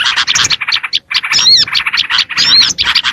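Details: Short burst of Oriental white-eye lure song for attracting small birds: scratchy, high chattering notes with two clear rising-falling whistled slurs, one short silence near one second.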